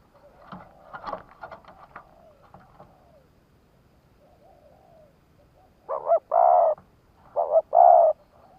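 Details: Spotted dove kept as a decoy bird to lure wild doves, Vietnam: after faint rustling and other bird calls, two loud cooing phrases, each a short double note followed by a long steady coo, near 6 and 7.5 seconds.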